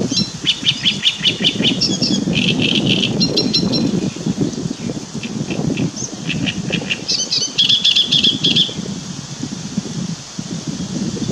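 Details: Great reed warbler singing on 2 June 2017; harsh, chattering phrases of repeated grating notes in quick series, some squeakier higher units, with strong low rumbling noise underneath throughout.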